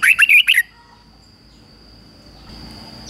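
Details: Red-whiskered bulbul used as a decoy, singing to draw wild birds in to fight: a brief phrase of four rapid, bright, wavering whistles at the start, followed by quiet with a thin constant high-pitched whine.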